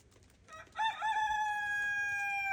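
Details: Araucana rooster crowing on a farm in the snow: after a quiet start, a loud, steady, drawn-out crow begins near the middle and holds a level pitch to the end, cut off before it finishes.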